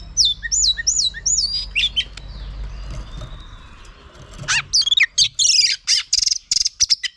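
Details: A female oriental magpie-robin, singing to stimulate males, gives a run of four quick, clear whistles that swoop up then down, then shifting sweet notes and sharp chipping calls.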